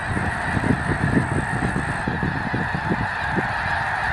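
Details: Flocks of wild geese landing at Cameron Prairie National Wildlife Refuge in Cameron Parish, Louisiana; dense overlapping honking from many birds, rapid and continuous, low nasal calls layered into a steady chorus with a constant background hiss.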